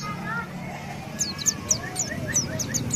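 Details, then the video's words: Indonesian pleci white-eye (Zosterops), a caged contest songbird, singing ngalas ngeroll: sharp, very high down-slurred chirps about every quarter second over a steady low hum and faint lower whistles. "Pleci Gacor Ngalas Ngeroll (Zosterops)"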